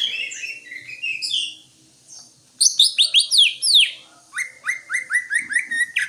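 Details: Song of a greater green leafbird: slow rising whistled notes, a pause, then a fast jumble of high sliding chirps and a steady series of short rising whistles repeated about three times a second.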